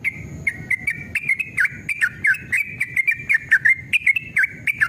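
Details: Yellow-vented bulbul male singing rapid 'ropel' lure song, excited and combative. A continuous, dense run of fluty, bouncing phrases that swoop up and down without pause, with faint low rumble underneath.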